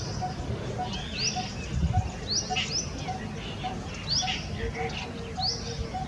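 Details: Even, knocking tuk notes of a coppersmith barbet repeat about twice a second, and a slightly lower run of notes joins near the end. Frequent high, rising chirps from other birds sound over a low rumble.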